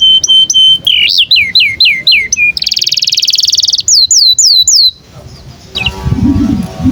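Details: Canary song played to train young canaries, with clear repeated whistles, looping rising-and-falling notes, a dense buzzing trill and downslurred whistles, ending in a faint rustle.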